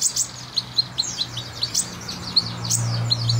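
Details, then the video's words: Sunbird, known locally as kolibri ninja, in lively chattering song for use as a tutor recording: rapid high, thin chips and short down-slurred notes in loose series, over a steady low electrical hum. "Kolibri Ninja Gacor Masteran"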